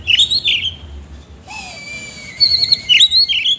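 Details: Oriental magpie-robin singing a rough, varied medley: scratchy whistled notes, a long steady high whistle, then quick buzzy upslurred phrases.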